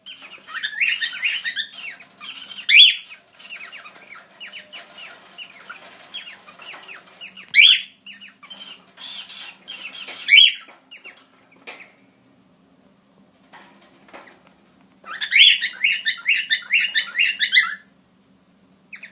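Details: Four cockatiels chatter in bright, raspy bursts, with rapid repeated chirps rising and falling.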